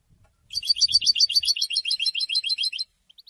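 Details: Goldfinch song meant to attract females and announce presence: a sustained, rapid, evenly pulsed trill of high ringing notes lasting over two seconds, with faint low knocks near the start.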